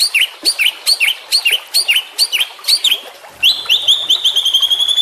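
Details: Juvenile white-rumped shama, a champion bird recorded as a training tape for caged shamas, sings a run of seven loud, high V-shaped notes about half a second apart, then a long, thin, even trill.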